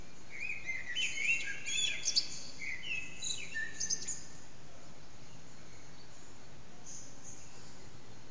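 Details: Hidden common blackbird singing near 4:40am in an echoing backyard, captured with an HTC Desire phone. A four-second run of fluted whistles and squeaky high flourishes, then quiet hiss with faint distant notes.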